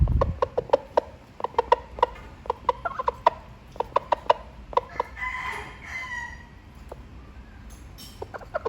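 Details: Rooster calling hens: quick runs of short, sharp clucks, repeated in bursts several times a second. A longer, drawn-out harsher call sounds midway, then scattered clucks resume toward the end.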